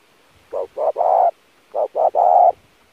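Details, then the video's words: Spotted dove training lure call, two phrases each of two short coos and a longer hoarse coo, with a faint background hiss. "kích mồi tập bổi chim cu gáy cực chuẩn / thúc gù căng lửa"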